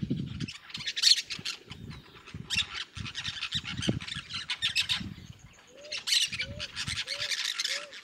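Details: Noisy flock of yellow-chevroned parakeets in Bahia's sertão, Brazil: shrill, scratchy squawks in clustered bursts, while another bird gives four short rising whistles near the end and low rumbling noise sits underneath.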